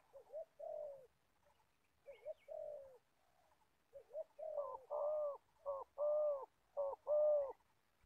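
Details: Spotted dove used as an old decoy for catching wild doves in Gia Lai, Vietnam. Softer cooing phrases build into loud, full, repeated coos about once per second.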